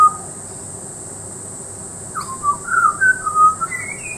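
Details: Butcherbird singing in Peachester, Queensland: after a quiet pause, a run of clear, mellow whistled notes rising and falling, ending in higher thin slurs, over continuous faint hiss.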